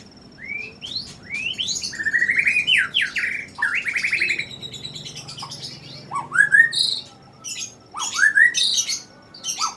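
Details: Indonesian hobbyists' caged songbird, a wild-caught youngster from 2016, singing loudly: rising whistled notes, then fast buzzy trills in the middle, followed by sharp upward slurs and high chirps.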